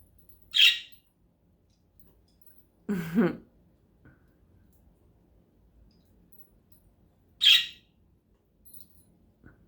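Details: A new pet budgerigar playing with its bell gives two short, bright, scratchy chirps several seconds apart.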